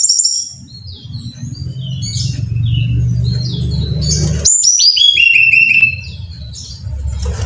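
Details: Song of a Brown-chested jungle flycatcher, played so caged birds sing readily: a string of high whistled and chirped notes over steady low hum, then loud cascading slurred whistles dropping in pitch.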